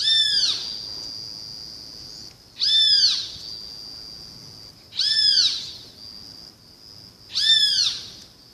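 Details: Great kiskadee giving strong, shrill, arched notes that rise and fall, each trailing into a thin high ringing tone, repeated roughly every two and a half seconds.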